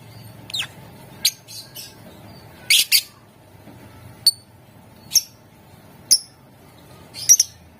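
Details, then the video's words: Lovebird calls played to set off singing in other lovebirds: thin high tweets and a brief squawky burst, then single sharp chips at roughly one-second intervals, faint hum beneath. "Ampuh buat Burung LOVEBIRD ikutan Gacor, Dijamin Puass Sama suaranya"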